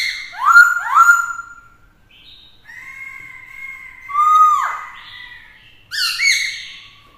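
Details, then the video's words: Black-throated laughingthrush, caged and singing to provoke rivals with a female present: two loud downslurred whistles open, then held tones, a falling swoop, and a closing cluster of harsh rising notes. "Khướu mộc hót kích đấu - Khướu bạc má hót nhiều giọng hay - kèm khướu mái kích trống căng lửa"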